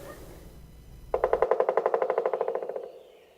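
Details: A Pileated Woodpecker drums on a tree in a forest: a fast, even roll of about twenty hollow knocks in under two seconds that fades at the end, after a brief low hum.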